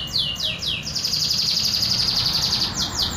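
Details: Pure, unembellished local canary song: a few upward-curving slurs lead into a dense rapid trill, then more swooping notes at the end, over soft low noise.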